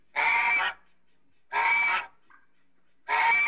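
An African goose gives loud, harsh honks, each about half a second long, repeated roughly every one and a half seconds.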